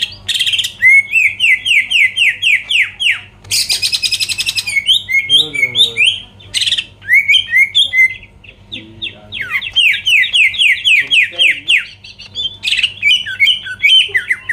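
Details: Greater green leafbird song used as a lure to provoke rivals into singing and getting worked up: fast runs of slurred, downward whistled notes broken by harsh buzzy rattles and varied chattering phrases, sustained and loud throughout.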